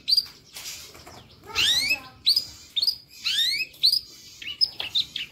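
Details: Long-tailed shrike gacor masteran with lively fill: rasping buzzy phrases mixed with clear high whistles, delivered in irregular bursts.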